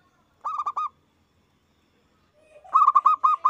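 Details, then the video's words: Loud zebra dove singing to prompt other doves to answer. A short burst of four rolling coos is followed after a pause by a longer, rising, bubbling phrase of quick repeated coos. "Perkutut gacor suara besar bikin ON nyaut buka paruh"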